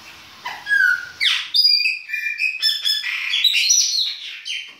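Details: Winter singing of a baianinho Chopi blackbird. After a dipping whistle, it pours out a dense, continuous string of whistled slurs, sharp rising notes and buzzy, clicking phrases that vary constantly, with no other clear sounds.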